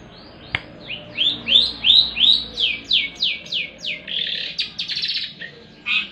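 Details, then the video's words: Long-tailed shrike performing on the competition track, delivering a fast series of rising, slurred whistled notes about three per second, then scratchy buzzy phrases and a final harsh note. "cendet gacor lagi di trek"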